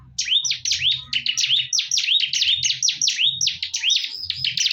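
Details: Bar-winged prinia (ciblek) in a fierce fight, pouring out rapid, high, sharp chirps and upswept notes in a dense, continuous burst, with a faint low hum underneath.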